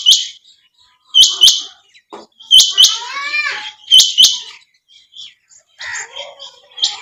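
A female quail gives sharp, high chirps, usually doubled, about once every second or so. Between them come softer falling twitters and faint background chatter.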